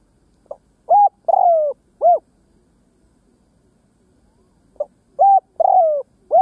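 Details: Ground decoy spotted dove cooing to lure wild doves, giving two matching phrases about four seconds apart, each a soft pip followed by three loud coos with a long, descending middle coo.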